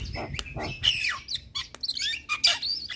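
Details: Asian pied starling singing a jumble of harsh grating notes, liquid whistles and clicks in quick succession, some notes sliding downward, others rising to a squeaky whistle near the end.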